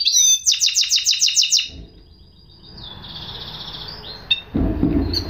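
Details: Goldfinch hybrid giving a short burst of fast, high repeated chirps lasting under two seconds, followed by quiet background noise, a faint thin note and a low thump.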